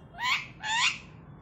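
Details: A talking Alexandrine parakeet mimics speech, saying "Ram Ram": two hoarse, rasping syllables, each rising slightly, about half a second apart, over a quiet background.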